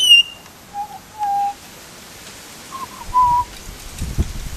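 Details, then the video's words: Butcherbird call in which a brief high whistle is followed by three low, steady, mellow whistled notes, each held under half a second, with soft rustling underneath. "Butcher bird call"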